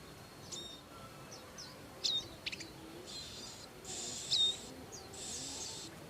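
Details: Wild Bar-winged prinia parents with young: scattered high chips and slurred whistles, then two extended hissing, buzzy bursts, against a quiet background.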